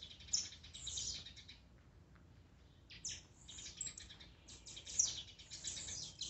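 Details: Tiziu, or blue-black grassquit, songs used to excite a kept bird: clusters of high, buzzy, sweeping notes, a quiet gap near the middle, then a busy stretch of overlapping bursts toward the end.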